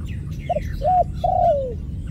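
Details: Dove cooing: a short low hooted note, then a mid note, then a long drawn-out coo sliding downward, over a steady low rumble of background noise.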